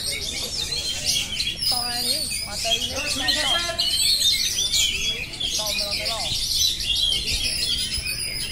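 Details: Unbroken singing from an oriental magpie-robin, with sharp high whistles and chatter, plus a few clear lower rising-falling whistled notes between two and three and a half seconds and again near six seconds.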